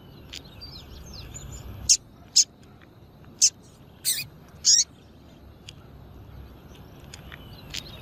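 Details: Calls of a female double-collared seedeater, used to stir up males for singing contests: five short, piercing high chips at uneven gaps, with soft background twittering from other birds.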